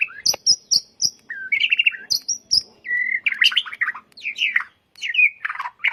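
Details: White-rumped shama song used as a master recording to train caged birds: sharp high whistles, warbled phrases and buzzy chattering notes in quick varied sequence.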